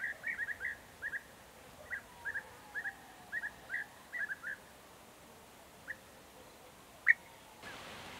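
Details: European bee-eaters in June 2023 give short, liquid, rolling 'prruip' notes, several in quick overlapping bursts, then sparser single calls over a quiet outdoor background.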